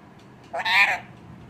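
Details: Indian parrot talking in Punjabi, giving one short harmonic, speech-like utterance that rises and falls in a single burst, with a quiet room behind it.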